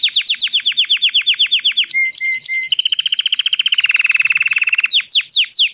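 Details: Canary singing loudly: a run of rapid falling whistled notes, a brief steady tone, then a long fast trill that slows, ending with more sweeping slurred notes.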